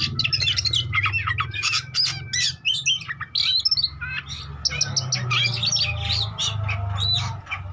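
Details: Oriental magpie-robin song played to stir rival birds into responding: fast, mixed whistles, chips and harsh squawky notes in continuous varied bursts, set over a persistent low hum.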